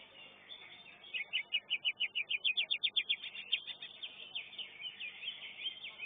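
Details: Greater green leafbird in a singing competition. It gives a rapid, even string of about fifteen loud, sharp, high-pitched notes, then a trailing warble. Other contest birds chatter steadily behind it.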